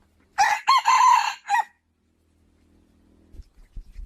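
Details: A rooster gives one full crow, short opening syllables, a drawn-out hoarse middle and a brief falling end, followed by quiet and some low knocking noises.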